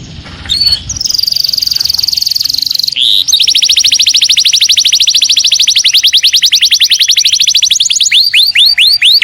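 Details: Domestic canary singing at home, loud and clear: a long high steady trill of rapid repeated notes, then a slower series of descending whistled sweeps near the end.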